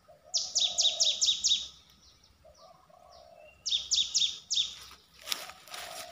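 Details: A streak-eared bulbul sings two fast bursts of five or six sharp, descending chirps separated by a pause. Faint lower murmuring notes and a brief rustle follow near the end.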